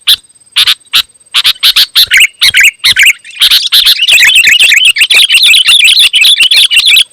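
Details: Sooty-headed bulbul singing loud and close-packed to provoke other bulbuls: spaced harsh chips speed up into a continuous rapid chattering stream with bubbly warbled notes woven through.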